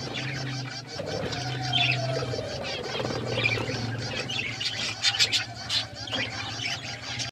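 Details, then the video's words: Budgies chirp while eating: a busy mix of quick high twittering notes and short sharp chirps, louder toward the end, with a low steady hum underneath. "budgies chirping sounds"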